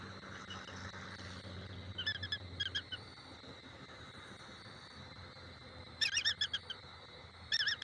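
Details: Bald eagle pair at a nest in Southwest Florida, around Thanksgiving; brief bursts of thin, high, rapid chittering notes near two and six seconds and again at the end, over steady low background hum.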